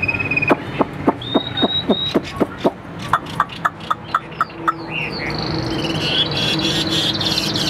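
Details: Chinese hwamei kept caged for sale in Vietnam utters a steady series of short dry clicks, roughly three or four a second, broken by a few level whistles, ending in slurred phrases.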